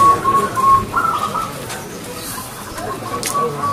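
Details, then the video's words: Actively singing local zebra dove with a clear, ringing tone: a louder run of staccato, bubbling coos at the start, then softer repeated coo notes fading into low background hiss. "PERKUTUT GACOR SUARA KRISTAL"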